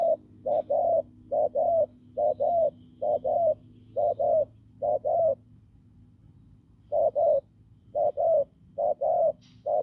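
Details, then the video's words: Wild field spotted dove with a hoarse, forceful voice repeating paired low coos at a brisk, even pace, pausing for about two seconds midway before resuming. "Bổi đồng khàn cứng gù"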